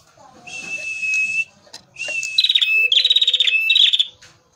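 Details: Male prenjak merah (a prinia) in full song, played as a lure: buzzy, insect-like trills held near one pitch for about a second, then a faster pulsed, rattling burst, with a lower thin whistle beneath.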